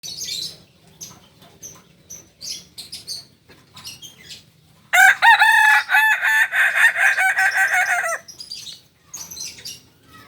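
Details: Kukuak balenggek chicken, a special-class bird native to Solok, West Sumatra, crowing: a long, loud, stepped crow of about three seconds, broken into many rapid pulsed syllables, with faint scattered chirps and clucks before and after.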